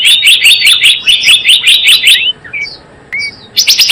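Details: About two seconds of evenly paced, rapid chirps from a Java sparrow lure used for trapping, then a few isolated squeaky notes and a fresh burst at the end.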